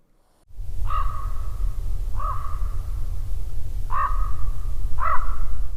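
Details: A common raven in a National Park Service recording gives four drawn-out, nasal calls, each with a sharp start and a level tail, spaced one to two seconds apart over a steady low rumble.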